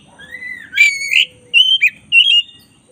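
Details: Oriental magpie-robin of the black-breasted form in tutor song: a thin falling whistle, then loud, harsh, rich notes and two bursts of ringing, warbled whistles over a faint low murmur.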